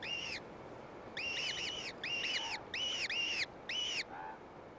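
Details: Gyrfalcon chicks on a cliff-ledge nest, fed by a gray female; dense series of loud arched squeals, some overlapping, with a lower short note near the end and light hiss.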